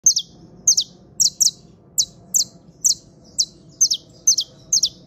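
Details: Saffron finch, called canario criollo, trilling: bright high chirped notes in quick pairs, each falling sharply, repeated about every half second against a low steady hum.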